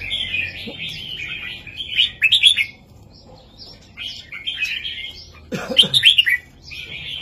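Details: Southern Thai master song of a red-whiskered bulbul for teaching young birds: rich warbled phrases, a pause, softer chirps, then a loud fluttering burst of notes with a lower rasp, followed by a short closing warble.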